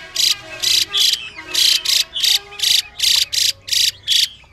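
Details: Female Chinese hwamei giving a harsh hissing call to stimulate a male to sing: rasping buzzy bursts, roughly two per second, with short gaps and an even, steady rhythm.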